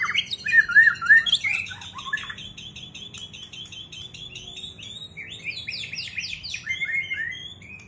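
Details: White-rumped shama, freshly out of moult, singing in a duel: a few loud clear whistles open, followed by a long run of fast chips and buzzy high notes.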